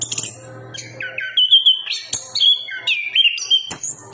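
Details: Singing chestnut-capped thrush: a stepwise series of clear whistled notes, each held briefly at a new pitch, rising and falling, with sharp high accents between them over a soft low hum.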